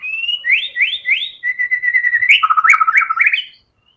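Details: White-rumped shama in full, vigorous song: rising whistled slurs, a long steady whistle near mid pitch, then a fast rattling run of stuttered notes with sharp clicks, clean and loud with no other sounds.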